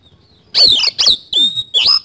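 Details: Oriental magpie-robin in lively 'isian kasan' song: four loud notes about a third of a second apart, each a harsh, buzzy burst sweeping through a high slurred whistle, in a clean recording.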